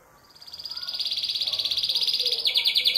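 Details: Caged male canary in breeding song aimed at females: one rapid, steady high trill growing louder, switching to a slightly different rolling note near the end, faint background noise.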